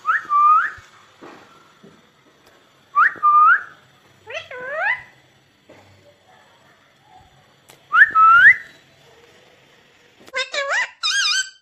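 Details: Talking ringneck parrot, said to say "mummy papa", giving short upturned whistled hooks in pairs about every three to four seconds, then a final burst of rapid layered chirpy notes; quiet room between calls.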